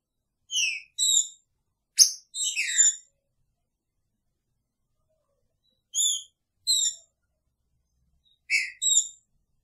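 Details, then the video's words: Caged male Green-winged Saltator with its female, picharro song: paired and tripled whistled notes, some descending, in short phrases separated by silent gaps of several seconds. "Trinca Ferro com sua fêmea!! Picharro"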